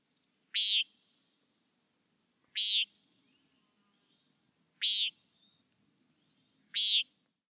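Common Nighthawk giving four short, harsh, nasal "peent" notes, one about every two seconds, over a quiet background.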